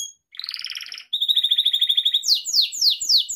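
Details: Pet Gloster canary song used for training canaries: a buzzy two-toned roll, then a long even trill of quick repeated notes, ending in loud downward-sliding whistles repeated about every quarter second. No background noise.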